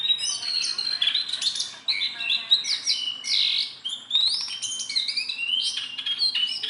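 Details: Sunda bulbul, tame enough to be handled, delivering a loud, varied song of rising whistled slurs, scratchy chatter and quick tweets in a steady stream.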